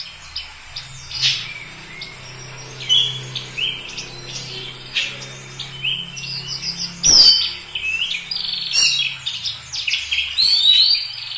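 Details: Oriental magpie-robin singing vigorously: varied bursts of high chirps, short whistles and downward-sweeping notes in irregular phrases, over a steady low hum in the background.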